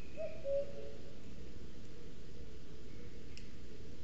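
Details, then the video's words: Territorial song of a male common cuckoo, summer visitor to Sierra de Guadarrama pine forest, Spain, picked up by a booted eagle nest webcam; one descending cu-coo near the start, then steady background hiss and faint distant chirps. "Escucha al CUCO"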